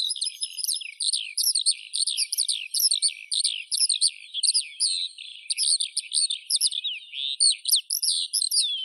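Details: Continuous skylark song of quick high chirps and rattling trills, notes repeated rapidly in a lively, unbroken flow.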